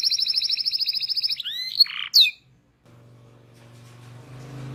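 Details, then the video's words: Local canary on a training recording: a steady rolling trill, then sharp swooping notes and a harsh burst, followed by a near-silent gap and a low humming noise. "FULL NGEROLL | MASTEAN KENARI LOKAL GACOR | FULL ISIAN | MASTERAN BURUNG KENARI"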